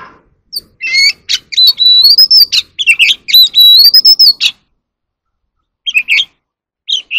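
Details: Oriental magpie-robin in competitive singing while dancing. A rapid run of loud, varied phrases: sweet rising whistles, buzzy trills and sharp chacks in close succession for about four seconds. After a pause come short scratchy notes twice.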